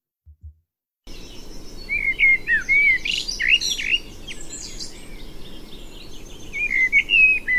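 A male Common Blackbird sings mellow, fluting warbled phrases that break into higher, scratchy twitters, with a second phrase starting near the end over a quiet outdoor background.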